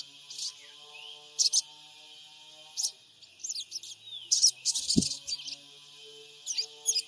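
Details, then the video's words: Purbalingga lure recording of a spotted (trotol) sogon bird, made on an Android phone to stir other birds into calling: scattered high chirps and a few rising twitters, one brief low thump near the middle. "Pancingan SOGON trotol PENJEBOL EMOSI SOGON MACET BUNYI"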